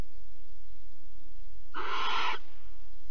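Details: A single harsh, breathy screech lasting about half a second from a barn owl at Alphen on 15 April 2020, around a mouse delivery and mating, over quiet low background noise.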